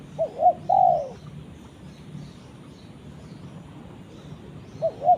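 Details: A spotted dove calls out to its companion. One phrase of two quick coos and a long falling coo opens the clip. After about three seconds of quiet hiss, the next phrase begins.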